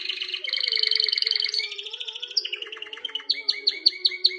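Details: Canary singing to ready a female for mating: rapid rolled trills, then a descending run of notes and sharp repeated chips about three per second, over a faint low droning background.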